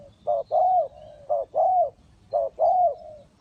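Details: Decoy Spotted dove at a bird trap calls loudly in a steady pattern, a short note and then a long, rounded coo, repeated about once per second. The calls are close and clear.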